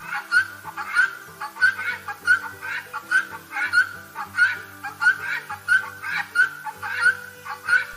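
A helmeted guineafowl hen gives a sharp two-syllable buckwheat call, repeated steadily over background music.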